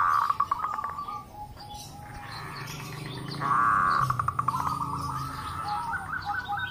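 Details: Many local zebra doves calling back and forth, a lure for training doves to call: quick rhythmic coo notes, a louder swelling phrase midway, then further trilled sequences from overlapping birds.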